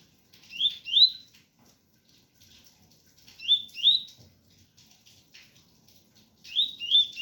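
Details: Ganga 001 style song of the double-collared seedeater, mixed with pure tui tui: three evenly spaced pairs of bright upslurred whistles about every three seconds, with soft rain ticking between them.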